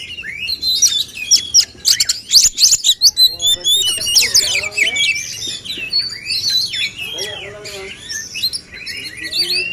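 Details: Rival male kacer (oriental magpie-robins) deliver staccato chips and loud whistled bursts early, then softer looping slurred phrases, in a dense singing contest.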